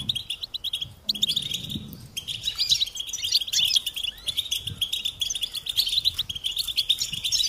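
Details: Goldfinch song recorded to encourage caged songbirds: a short twittering burst, a brief pause, then sustained rapid high chirps and liquid trills, some low background hum.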